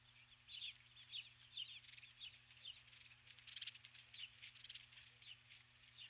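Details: Female osprey calling for her mate from the nest at dusk, 21 July 2015; rapid high chirping notes run together in a busy, slightly blurred series, over a steady low hum.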